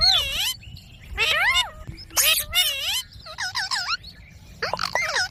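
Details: Indian ringneck parakeet kept as a pet, mimicking speech in clipped, nasal, wavering syllables grouped into short phrases, with rapid pitch swoops and a couple of harsh rasping notes between pauses.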